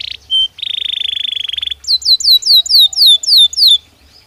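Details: Belgian canary singing naturally: a short note, a dry buzzy rattle, then about ten bright whistles, each sweeping sharply downward in quick succession.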